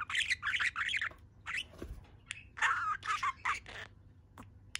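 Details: Pet budgerigar in a good mood, chattering while standing on one leg: rapid bursts of scratchy, warbling notes and squeaks in uneven clusters, with short clicks and pauses between phrases.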